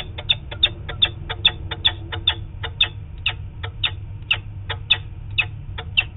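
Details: Distant peregrine falcon, probably the male, during flight of the adult pair, recorded by camera on 4 October 2017: a rapid run of grating kak notes repeated about four times a second, with a steady low rumble underneath.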